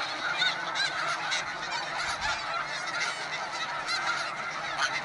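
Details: Continuous clamour from an Arctic snow goose breeding colony, thousands of birds on snow-free ground, with honking yelps layered thickly over one another in a steady, unbroken din.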